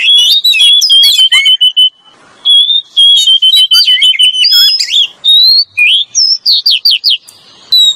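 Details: Lure song of an Oriental magpie-robin pair, male and female: long level whistles mixed with quick chattering notes, a short pause, then a varied rising and falling string of whistles ending in upward-sweeping notes.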